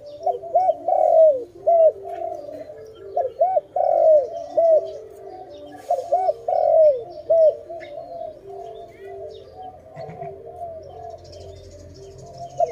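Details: Dove recorded during forest bird trapping, giving loud arched cooing notes in quick uneven runs, several grouped together with short pauses, over a faint low rumble.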